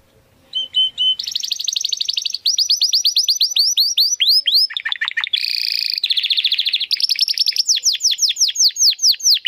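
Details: Domestic canary singing nonstop in a crystal-toned style for training contest birds: a few soft notes, then long rolling high trills, cascades of descending whistled sweeps, a harsh buzzy burst and more swooping notes.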